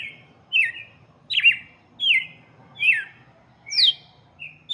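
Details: Song of the red-cowled cardinal meant for chicks: loud, ringing whistled phrases that fall in pitch, repeated roughly every seven-tenths of a second, with light background murmur.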